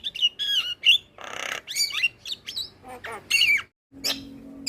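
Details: Javan myna giving vigorous training song while bobbing its head: squeaky whistles, a burst of broad rasping noise, then more bright slurred whistles after a short silence.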